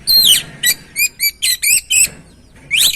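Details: Oriental magpie-robin (kacer) song used to stimulate another bird to sing: bright whistled phrases, rising sweeps and short repeated notes with harmonics, separated by brief pauses, then a final rising whistle.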